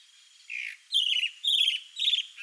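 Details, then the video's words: Male chalk-browed mockingbird, also called sabiá-do-campo, singing to show off to a female: four loud phrases of rich, warbled notes about half a second apart, with a slightly falling first phrase and a faint steady insect-like hiss behind. "CHALK-BROWED MOCKINGBIRD male sings showing off to female (MIMUS SATURNINUS), SABIÁ-DO-CAMPO."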